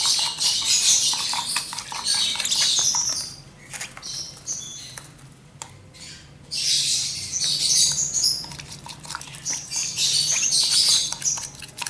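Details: One-month-old lovebird chick begging while being hand-fed with a syringe: dense high-pitched rasping, hissing chatter in long bursts, broken by a quieter pause in the middle.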